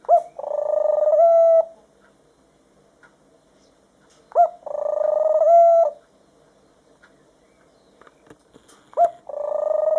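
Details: Rescued, hand-reared pet white dove cooing affectionately toward its owner; three long, vibrating, hum-like coos about four seconds apart, each led by a brief rising note, with quiet gaps and a few soft clicks between.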